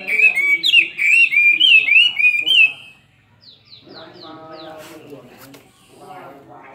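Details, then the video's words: Two-year-old caged Chinese hwamei singing a fighting song: about three seconds of loud, wavering whistled slurs, then quieter chattering and a few thin descending notes. "Họa mi hót xòe hót đấu"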